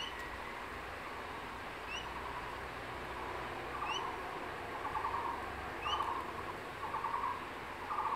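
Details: Male crested goshawk at the nest in secondary forest calling his mate to eat a caught lizard: a hissing noisy background for the first half, then clear short chattering bursts about once a second, with rising whistles of other birds.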